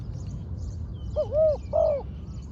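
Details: Trained spotted dove used as a ground decoy, giving two clear, low cooing notes. Each is a hoarse, slightly rising-then-falling phrase, separated by a short pause, over a steady background hiss.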